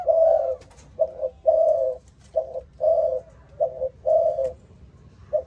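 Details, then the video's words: Spotted dove, Malaysian line, 'âm thổ' voice style, delivering steady resonant coos in alternating short and long notes, about one each half-second, over low hum. "Cu gáy malaysia dòng âm thổ tê tái"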